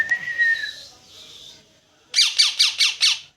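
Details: A parrot gives a falling whistled note, then a short pause, then five loud, harsh squawks in quick succession.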